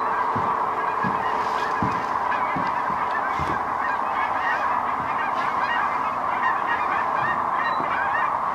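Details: Cranes landing in the distance near Wood River, heard from a viewing blind on March 8, form a continuous, rolling chorus of countless overlapping calls, while low voices and a few thumps sound close by.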